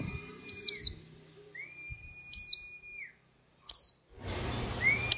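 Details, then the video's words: White-eye taken from a crowded dealer's cage, now singing keenly after two weeks in captivity: sparse single and paired high, sharply falling chirps, a long level tone in between, and a burst of hiss near the end. "Pleci Ombyokan 2 Minggu Gacor"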